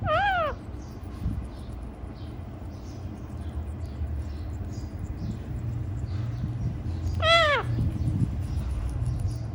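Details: Pet ringneck parrot giving two loud, harsh screeches with strong harmonics, one at the start and one about seven seconds later, with steady low background rumble between.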